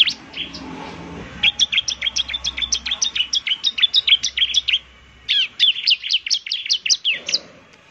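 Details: Bar-winged prinia, a semi-gacor bird, as a lure sound: long fast series of sharp, high, downward-flicking chirps, about four per second, pausing briefly mid-way before resuming, with low background rumble.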